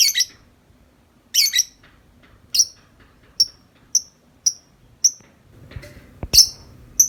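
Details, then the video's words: Out of its cage, a tame lovebird keeps up its nonstop 'ngetik' chattering: rasping buzzy notes, then a run of clipped high ticks about every half second. A low knock sounds near the end. "Lovebird Jinak Ngetik Panjang Nonstop 10 menit di luar Kandang"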